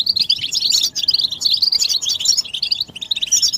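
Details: Several goldfinches chattering together, mating and readiness calls used to break a male's silence and prompt song: quick bursts of high, tinkling twitter separated by a few short pauses.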